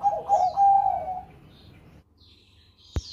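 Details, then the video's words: Zebra dove of the Bangkok type, a champion bird, singing in the Susi Susanti song style: a mellow, rapid cooing trill of bubbling notes for over a second, then quiet with a sharp click near the end. "Perkutut Bangkok Gacor Suara Merdu Cengkok Susi Susanti Juara"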